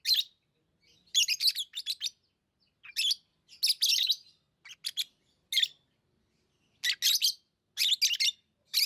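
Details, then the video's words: Steady lovebird chatter: repeated shrill, buzzy chirps in clusters, almost continuous with brief breaks. "Love birds Sounds | lovebirds chirping sounds| parrot beautiful sounds"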